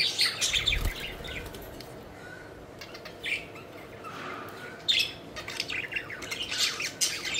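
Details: Pet budgies playing and flying give scattered chirps, a few drawn-out warbling notes, and a burst of busy chatter toward the end; a low thump is heard early on.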